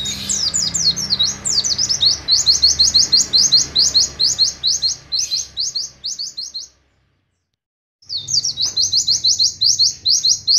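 An Oriental white-eye pours out a fast, high, twittering stream of thin chirps, several per second. The song breaks off in a brief silence and then resumes.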